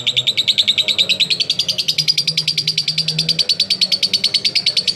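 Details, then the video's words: Lovebird in a sustained konslet-style 'ngekek', a lure for other lovebirds to join in; shrill machine-gun chatter of rapid identical notes, pitch edging upward early on, with a faint low murmur behind. "LoveBird Konslet Ngekek Panjang Terbukti Ampuh Pemancing Love Bird Ikut Ngekek"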